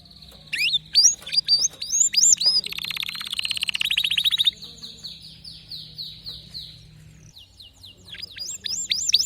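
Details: Canary song with distinctive notes: a few looping whistled syllables, a buzzy rolling passage, a quieter stretch, then more looped whistles at the end.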